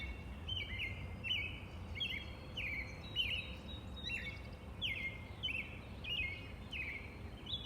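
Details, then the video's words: A robin sings short, slurred whistled phrases in a steady run, each falling then levelling off, about one every second, over a low background rumble. "The peaceful sounds of the Robin bird"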